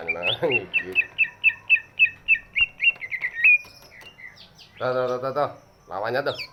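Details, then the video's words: Greater green leafbird, big-bodied, used to draw song from lazy birds; a steady series of repeated whistled notes about four per second, followed by loud harsh broadband bursts of another sound. "cucak ijo body big, suaranya bisa buat pancingan burung yang malas bunyi"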